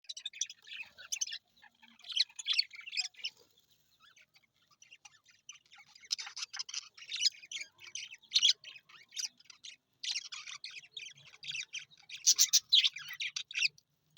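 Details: Baby budgerigar chicks, possibly hungry, give bursts of high, scratchy chirps and squawks in quick, uneven clusters.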